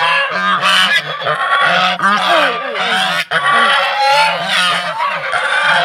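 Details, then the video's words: Domestic geese from Netrakona kept in Tangail, Bangladesh, in egg-laying season, one coming to peck at a person. Continuous loud, raucous honking from several geese, harsh repeated notes overlapping for the whole stretch with hardly any pause. "এই যে ঠোকর দিবা আমারে, কি ডিম পাড়ার সময় হয়েছে তো, এই জন্য ঠোকর দিচ্ছে।"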